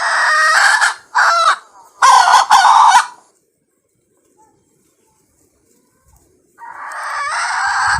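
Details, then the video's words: Red junglefowl hen: a run of three or four loud harsh calls, a pause of about three seconds of quiet, then another long rasping call. "Suab poj qaib qus Seev Zoo thiab dib tuaj Zoo heev li,ສຽງແມ່ໄກ່ປ່າ ຮ້ອງດີຕໍ່ມາດີ"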